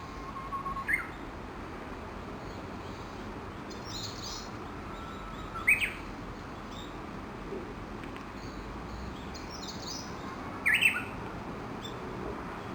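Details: Early-morning Japanese bush warbler, one of dozens feeding near Gakushima Bridge in Kawashima, Tokushima, Japan, beneath a chinaberry tree. Three short bright whistled phrases, each about five seconds apart, over steady background hiss.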